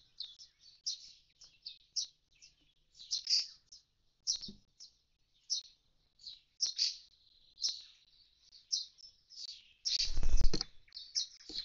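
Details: Common starling (Sturnus vulgaris) calling beside its empty nest box after the young have fledged: a string of short, high, scratchy chirps about every half second, with a brief rush of noise near the end.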